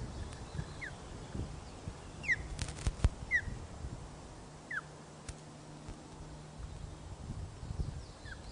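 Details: Ospreys at a nest at Loch of the Lowes, Scotland, on 1 June 2013 at 13.26, during the first feed for the chick: short, sharp descending chirps repeated irregularly over low steady hum and faint background rustle.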